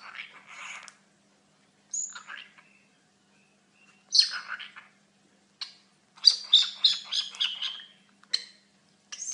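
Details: Pet cockatiel talking: short bursts of scratchy, chirping, speech-like syllables in separate phrases with silent gaps, ending in a quick run of rapid chattering notes.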